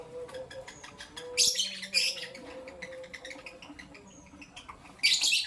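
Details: Morning chirping from albino and Euwing green opaline lovebirds: quiet clicking broken by three loud, piercing, high chirp bursts, two close together early and one near the end, with faint low tones between.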